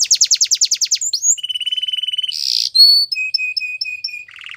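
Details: Canary training song: fast rolling descending trill, a rising whistle, a steady buzzy rattle, a loud harsh rasp, then short whistled notes repeated about three per second and a low final rattle.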